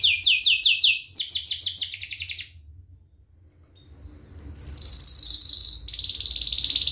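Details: Sharp, tight rolling canary song meant to teach young canaries. Rapid repeated chirping syllables pulse about ten per second, then pause before a thin whistle and a bright, dense buzzing roll.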